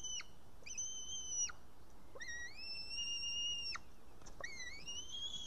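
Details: Young white-tailed eagle in its Estonian nest asking to be fed, June 2018 evening: clear, level whistles about a second long, one gently rising, each ending in a steep drop, repeated four times over low hiss.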